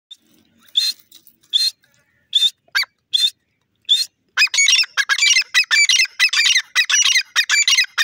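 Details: Grey francolin calling: a few spaced, shrill, ringing notes in the first four seconds, then a loud, fast, continuous run of rapidly repeated high-pitched notes to the end, with no other clear sounds behind.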